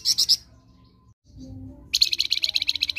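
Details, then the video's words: Flamboyan singing in the ngerok style, recorded as a master for training other birds: a short burst of three high chips, a pause, then a fast, even rattle of piercing notes. "MASTERAN FLAMBOYAN NGEROK"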